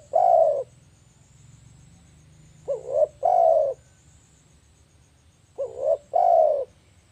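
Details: Spotted dove lure call for trapping, deep repeated coos in phrases of two quick notes and one longer note, spaced about three seconds apart, against a quiet low hum.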